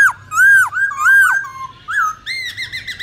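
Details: Wild-style song of a Black-throated laughingthrush, used for training young birds: loud arched whistles that rise and fall, a lower sliding note, then a quick run of clipped, repeated higher whistles.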